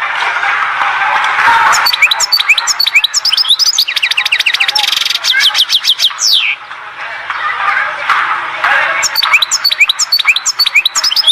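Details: Singing European goldfinch from Oued Zhour in Skikda. Dense bursts of high, rapid twitters and trills are broken by brief pauses, and a downward sweeping note sounds near the middle. A steady hiss runs underneath throughout.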